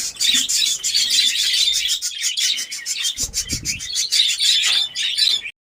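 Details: Many captive budgerigars in a new breeding colony in Darbhanga, Bihar, India, producing steady loud high-pitched chirping and warbled chatter throughout, a few faint low knocks in the background.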